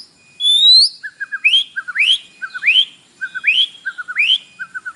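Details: White-rumped shama morning lure song, used to make a captive bird sing: a long rising whistle, then a phrase repeated about every 0.6 seconds, each a few low piping notes followed by a bright upward-swept whistle.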